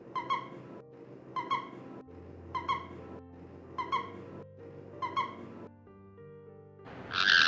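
A caique gives five short, nasal, harmonic calls about every 1.2 seconds, then ends with a loud, harsh squawk, over a steady low background hum.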